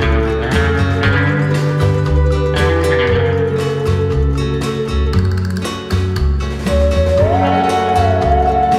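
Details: Strummed and plucked acoustic guitar music plays throughout, with no animal voice.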